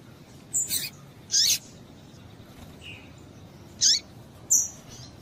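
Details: Calls of a female double-collared seedeater, meant to excite the male into song. Brief, piercing high notes, a doubled chirp, a soft lower note, then two more sharp calls close together.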